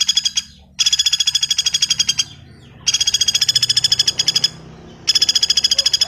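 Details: Common flameback calling in three rapid, harsh rattles, each about one and a half seconds long, with quieter gaps filled by soft background hiss.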